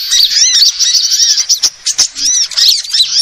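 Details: Sunbird lure sound: high chattering of arched, squeaky notes, then a short lull with a few isolated clicks, before the twittering resumes.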